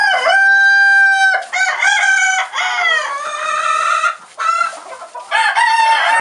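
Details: Orpington rooster summoning his hens to grain he found in straw: a long steady opening note, then wavering, sliding calls and choppy clucks, loud and close, with short pauses between phrases.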